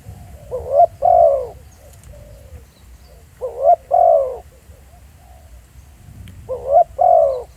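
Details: Spotted dove recorded in a real field setting. Three evenly spaced phrases sound about every three seconds, each a quick rising note and then a longer mellow coo sliding downward.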